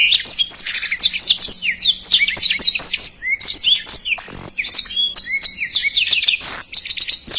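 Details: Continuous, densely packed song of a black-throated canary, the fast 'speed rapat' style with characteristic phrasing: bright high chirps, rising and falling slurred whistles and brief lower notes pouring out without a break for over seven seconds.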